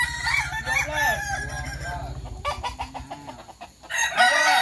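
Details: Kukuak Balenggek cocks competing in a practice crowing contest at Sawah Lunto; arching low notes and clucks, then a sharp loud crow near the end, overlapping birds throughout.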